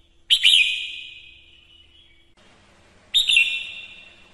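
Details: Female red-whiskered bulbul singing to rouse males: two bright whistled phrases about three seconds apart, each opening with a quick warbled flourish and trailing off in a long fading whistle.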